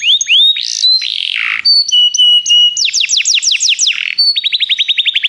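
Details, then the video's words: Canary singing, used for song training: upward slurred whistles, a rough descending note, a level whistled phrase with high overtones, then quick rolling trills that speed up toward the end. "Canários Begie cantam muito"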